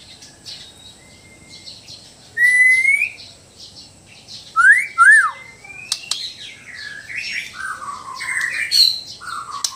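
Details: White-rumped shama from Sabah, Borneo, in a mix of relaxed and loud song: scattered clear whistled phrases, some rising and sliding, between quieter pauses, ending in varied warbled notes.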